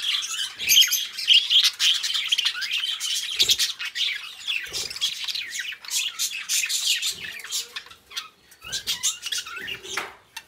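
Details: A pair of pet budgerigars chatter in a long stream of raspy chirps and squeaky warbles, punctuated by sharp clicks and a brief drawn-out whistle.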